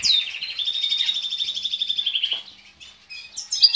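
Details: European goldfinch male in breeding condition, kept by an owner and mated with canaries, gives a sweeping high note followed by a long rolling buzzy trill, then a short pause and a few sharp chirps.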